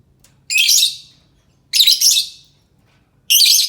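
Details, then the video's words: A lovebird's shrill call, used to lure other lovebirds into responding: long, harsh, buzzing screeches lasting up to a second, repeated about every one and a half seconds, with a faint low hum behind. "Suara Burung lovebird cocok untuk pancingan lovebird pasti nyaut"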